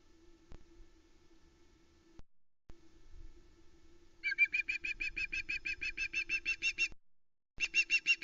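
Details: Female osprey calling from off camera at the Loch Arkaig nest on 1 September 2020, just before the male delivers a live flatfish: a fast run of sharp, high whistled chips, about three a second, after a quiet stretch and a short pause.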